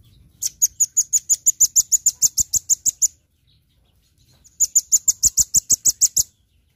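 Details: Velvet-fronted nuthatch in a training recording of its full daily song: two bursts of rapid, evenly repeated high sharp notes, about three seconds each, separated by a short silence.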